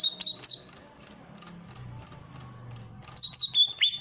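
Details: Greater green leafbird from Ujung Kulon, a master recording for training birds with fountain water sounds; short bright whistled notes, a quiet pause with low murmur, then rich warbled whistles returning.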